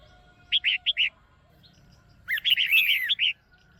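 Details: Female red-whiskered bulbul calling from a cage to stimulate a male or to pair: four quick ringing notes, a short pause, then a busy burst of chirps running into a slurred whistle.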